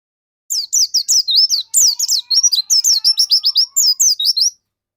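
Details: Pleci dakun white-eye singing vigorously, a song used as a lure to get other white-eyes singing: a rapid run of high, thin, slurred chirps and twitters, tumbling up and down in quick bursts for about four seconds.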